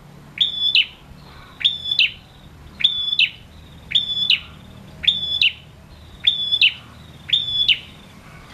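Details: Male prinia, a lively singer used to stir quiet prinias into song: short sharp clicking chips, each with a ringing high note, repeated about once a second in a steady series over faint low background hum.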